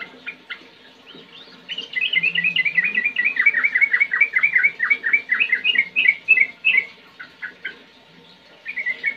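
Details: Sooty-headed bulbul (trucukan) in a clear, lively song: faint chips, then a fast run of short whistled, slurred notes for about five seconds, rising and falling, about three per second, before a few scattered notes.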